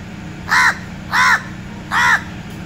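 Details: Three loud, hoarse caws from a crow, evenly spaced about two-thirds of a second apart, each a short rough arch of sound against faint low-pitched background noise.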